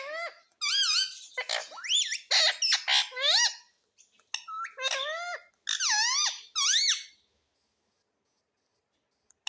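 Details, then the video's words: Indian ringneck parrot repeating "mummy" in a rapid string of short, wavering, rising-and-falling harmonic syllables, grouped in bursts over about seven seconds, then silence. "MUMMY BOLNE WALA TOTA - BOLNE WALA TOTA - TALKING PARROT"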